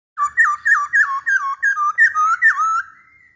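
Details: Masked laughingthrush song: a loud run of about ten rich, ringing whistled notes, each bending down then up, delivered quickly and evenly over under three seconds in a quiet room.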